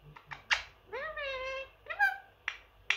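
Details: Pet Indian ringneck parrot indoors, a three-year-old male that says phrases and attempts whistled tunes. Sustained harmonic whistle-like note that slides up and then levels off, framed by sharp clicks and a higher rising note.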